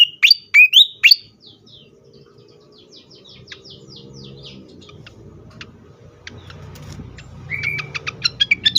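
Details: Fantail in an agitated state, used as a lure and stimulus for other birds: three loud piercing whistled notes open, followed by faint ticks over a low rumble, then a brisk series of sharp clicking notes and a short rising whistle.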